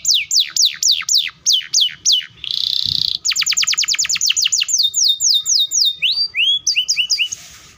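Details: Singing canary in a long, tight, fast roll used to draw a response from young or non-singing canaries. Sweeping downslurred whistles give way to a brief buzzy trill, then a rapid rattling series and rising notes.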